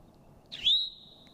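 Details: An Eastern Towhee, found near brushy vegetated edges, gives its namesake two-note alarm call: a brief burry note sliding up into a high, drawn-out whistled note, in quiet surroundings.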